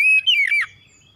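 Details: Oriental magpie-robin, kacer, giving one short whistled phrase, a steady note followed by a wavering slide downward, then silence.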